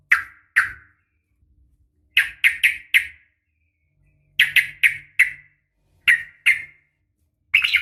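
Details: Female yellow-vented bulbul calling to a male: sharp, bright chirps in pairs and clusters of three, separated by short silences, with a final harsher burst at the end.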